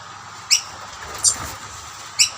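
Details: Rainbow lorikeets feeding from plates of snack while a dominant male chases other birds from the food; three short, harsh, stacked screeches spaced about a second apart over a low background hum.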